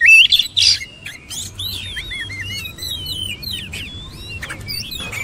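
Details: Oriental magpie-robin singing a rapid, varied stream of whistled slurs and chirps, loud bursts at the start, then a softer continuous warble of twisting notes over a low background rumble, used as training material to prompt other birds to sing.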